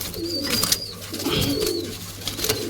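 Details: Coloured domestic pigeons indoors in a home loft in Bangladesh give low, murmuring coos in two rolling bursts, with a thin, high whistling tone drifting above them in the small room.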